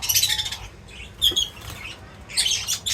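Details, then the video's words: A flock of birds at a feeding spot chirps in dense, high bursts at the start and end, with fluttering wing noise between the bright twittering calls. "Crazy Birds Feeding Reaction : Birds Chirping Sounds"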